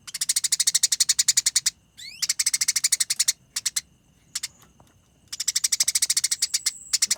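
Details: Eurasian tree sparrow chattering while fighting, a dense, long, clear konslet and ngerol recording meant for training: long rapid runs of harsh pulses, a sharp rising squeak, and scattered single notes during a quieter middle stretch.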